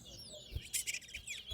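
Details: Large-billed seed-finch (towa towa) at a bird singing competition in Lusignan sings bright, high, rapid warbled notes and short trills, with a second competing bird singing and low thumps and murmured voices beneath.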